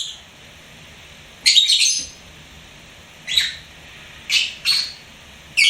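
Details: A pet lovebird gives a few separate shrill chirps with long quiet gaps between them, one longer raspy burst early and three shorter ones near the end.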